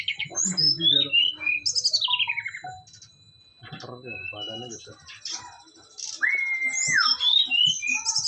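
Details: Caged brown-chested jungle flycatcher singing hard during a mental test: sharp descending whistles and a high trill, a quieter spell with low murmuring, then a long level whistle sliding down and bright chirps.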